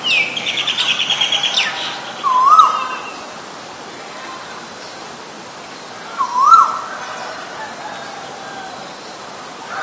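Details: Male and female Asian koel recording: a buzzy pulsed series at the start, then two clear rising-and-falling whistled notes spaced about four seconds apart, against a quiet background hiss.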